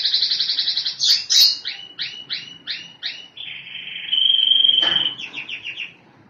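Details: Canary song moving from a fast rolling trill into a slower series of repeated, evenly spaced syllables. A sustained bright whistled note follows, then a short closing trill that fades away.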